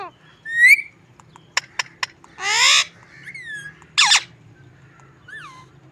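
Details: A pet parrot making unusual, comical sounds: a rising whistle, tapping clicks, a broad harsh screech, a slurred whistle and a final short squawk.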